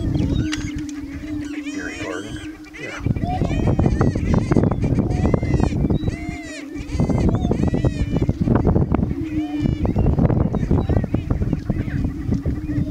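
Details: Greater prairie chickens in a morning courtship dance on 4-11-16. Several birds give deep, sustained moaning booms in repeated bouts, with frequent high cackling, whooping calls layered over them.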